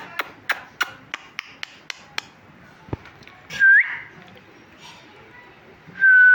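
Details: Talking parrot chirping indoors: a quick string of dry clicks, a pause, then a loud rising whistle and a long level whistled note.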